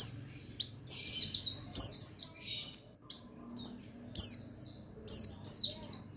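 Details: Singing male buxtoni white-eye, offered as a therapy sound to make white-eyes sing: almost continuous busy high twittering, short phrases of falling chirps roughly every second, light background noise.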